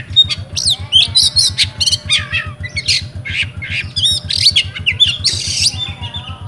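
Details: Oriental magpie-robin, a caged bird in Pemalang, Central Java, Indonesia, singing rewo-rewo style: loud staccato chirps, scratchy rasps and piercing whistled notes packed closely together, over a steady low beat.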